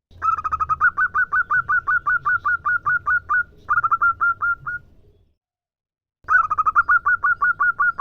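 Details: Female zebra dove from a local strain calling a male. Long rapid series of short, bright, fluted notes, about two or three per second, broken once by a pause before the calling resumes. Low background rumble.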